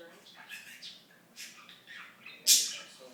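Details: Talking budgie murmuring quiet, slurred speech-like notes, then one loud, sharp high-pitched squawk near the end.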